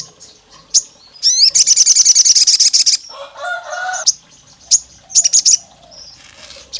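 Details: Olive-backed tailorbird female calling the male, meant to provoke rival males: a quick rising sweep into a loud, fast trill of high chips, then a lower warbling bird sound and scattered sharp notes.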